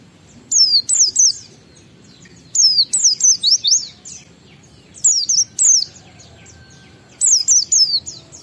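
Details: Kept Oriental white-eye singing ngalas lure song meant to get other white-eyes singing: short phrases of three or four high, sharply descending whistled notes, repeated about every two seconds with quiet gaps between.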